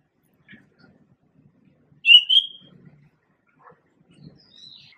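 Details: Male pied bushchat singing one short, bright warbled phrase of two linked high notes around the middle of the recording, with faint scattered chirps before and after and otherwise quiet surroundings.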